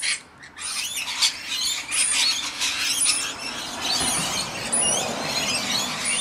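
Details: Rainbow lorikeets bathing and feeding together, a dense continuous chorus of shrill, overlapping screeches and squeals with thin high whistled notes running through it.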